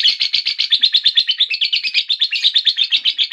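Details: Lovebird in long chattering song (ngekek), a rapid run of harsh buzzy chirps repeated about three per second, steady and unbroken, high-pitched and loud throughout.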